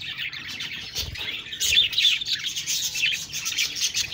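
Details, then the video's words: Several budgerigars chatter together, rapid high chirps and warbling twitters piling over one another, growing louder and busier after the first second and a half. "Budgies Birds talking sound Birds chirping sounds"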